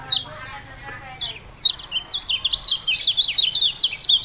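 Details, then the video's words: Yellow-bellied prinia, called kecial kuning, with a few high chips, then an accelerating continuous rattle of falling notes. "Ciak -ciak jos burung kecial kuning"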